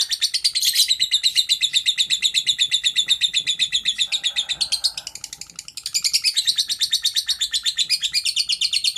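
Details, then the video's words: Lovebird giving its long 'ngekek' chatter as a training recording: a steady, rapid run of harsh, high notes, briefly weaker around the middle with a faint lower hum, then strong again. "Suara asli burung Love bird ngekek panjang"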